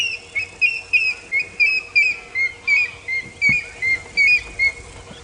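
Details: An African grey hornbill calling during a sunrise game drive in South Africa in May gives a steady run of plaintive, high whistled notes, about three per second, each slightly slurred, over a faint low engine hum.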